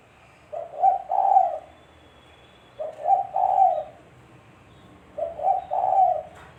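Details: Spotted dove (tekukur) voice meant as a trapping lure; three steady low cooing phrases about every two and a half seconds, each a stuttered note before a long, slightly falling coo, over light background hiss.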